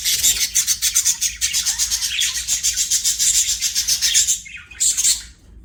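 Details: Playing budgerigars singing: a fast, steady stream of rasping, buzzy pulses for about four seconds, then a short pause and a few sharp chirps before it fades.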